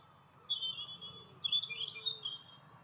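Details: A pair of Eurasian siskins (Spinus spinus), seen in close-up, give thin, high twittering calls in short bursts with a squeaky, slurred note near the end, over a faint low background hum.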